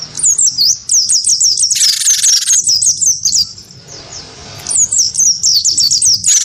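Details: Wingko great tit singing hard while provoked into fighting against a white-eye: bright, high down-swept notes in quick succession, interrupted by one long harsh rasp and a short quiet gap.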